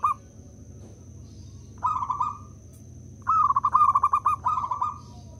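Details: A local zebra dove's lure song for coaxing other doves to sing. A short opening note is followed by a mid-pitched bubbling coo and then a longer run of fast pulsed cooing. Low hum and a faint high whine continue underneath.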